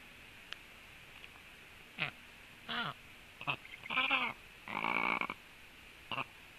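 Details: Black stork chicks in their nest, talking to each other while preening: scattered short hoarse, nasal calls with harmonic bands, some rising and falling, a few longer rasping bursts, separated by quiet gaps over faint steady background hiss.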